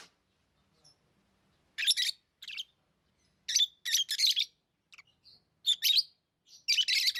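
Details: Lovebird chirping: harsh, high-pitched, buzzy chirps in short bursts, grouped into clusters of two to four separated by brief silences, about a dozen notes over seven seconds, against an otherwise quiet background.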